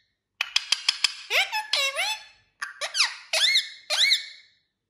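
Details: Pet parrot giving a run of sharp clicks, then several squeaky whistled notes that swoop up and down, with short bright rising squeals at the end, indoors.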